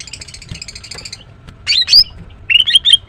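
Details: {'caption': 'Morning singing from a female greater green leafbird: a rapid buzzy rattle of harmonic notes, then a pause, then loud rising whistled slurs and a wavering whistle phrase near the end.'}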